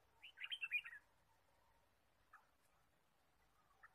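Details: Red-whiskered bulbul in forest on a bird-trapping day, March 2017: one quick, clustered phrase of bright chirping whistles, followed by quiet and a couple of faint single notes.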